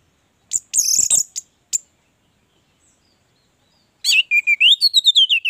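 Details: Orange-headed thrush song as a 'gacor' lure to get other thrushes singing: a scratchy burst and one sharp note, a silence, then a quick series of clear whistled notes that rise and fall.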